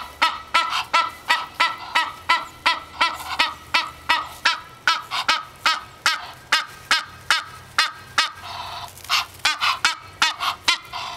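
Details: Hungry female Egyptian goose calling at a back door in the morning as the house lights come on; a long, steady run of loud, grating honks, roughly three per second, with a brief scuffle of noise midway.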